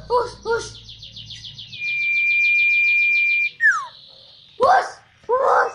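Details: A hand-reared, trained tame common iora sings in a small room: a long, steady, high whistled note under a rapidly warbling trill, then a quick falling slur, with human voices heard at the start and end.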